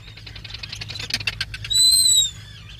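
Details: At its breeding burrow, a black guillemot (Cepphus grylle) gives a quick run of dry, ticking notes, then one thin, high, drawn-out whistle, with a low background hum throughout.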